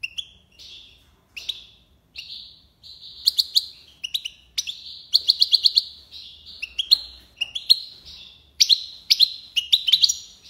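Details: European goldfinch song, tiwawati style: short phrases of clear rising whistles alternating with rapid tinkling clusters, delivered steadily with brief gaps between phrases.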